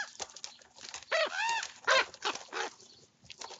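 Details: Group of young common ravens quarrelling over food while eating breakfast; loud hoarse croaking squawks with arched, wavering harmonics follow one another rapidly, about three a second, over clicks and shuffling.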